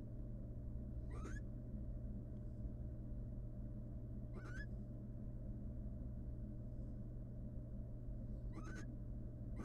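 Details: A wild female barn owl courts her mate in their nest box while incubating eggs. Three brief, upward-sweeping twittering calls come spaced three to four seconds apart against a constant low electrical hum.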